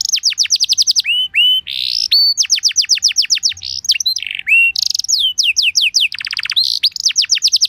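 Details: Canary in a long lure song to make other canaries respond: quick tours of descending whistles alternating with rising slurs, short buzzy notes and a dense low trill, sung almost without a break.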